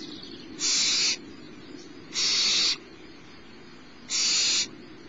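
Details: Barn owl owlet being fed by the adult female at Starr Ranch, 10:30am, 6 March 2011: three harsh, noisy hiss-screeches of about half a second, roughly one every two seconds, with a faint background hum.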